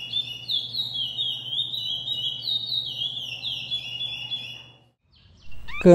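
Chestnut-bellied Seed-finch singing a continuous run of clear, sliding whistled phrases for about five seconds over a low hum, then a man's voice starts.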